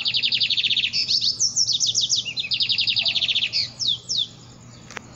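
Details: At daybreak a lined seedeater sings energetically, with fast high chirps in a buzzy trill, then sweeping slurred whistles, before fading to quiet with one faint click.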